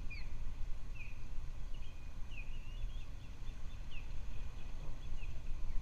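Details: Male and female ospreys on their nest on Captiva Island, Florida, USA, on January 2, 2023, picked up by a nest camera. A run of short, high chirped whistles, some slurring downward, comes over a steady low wind-like rumble.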